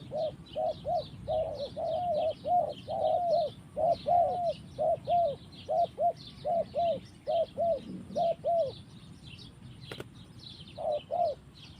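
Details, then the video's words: In the forest, a spotted dove delivers a long series of soft, arched coos, roughly one or two per second, in loose pairs, pausing near the end before resuming; busy high chirping continues behind it throughout. "Mantap Tekukur in the forest"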